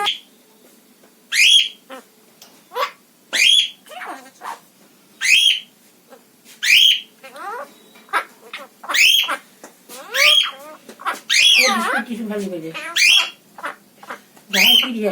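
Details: A pet parrot in Assam, India, giving loud, sharp whistled calls repeated roughly every one to one and a half seconds, with rougher chattering bursts between them and faint human voices.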